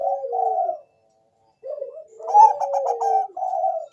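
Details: Zebra dove, Bangkok type, heard as a lure sound to start other doves singing; a short coo, a pause, then a phrase with a quick trilled burst and a closing mellow note.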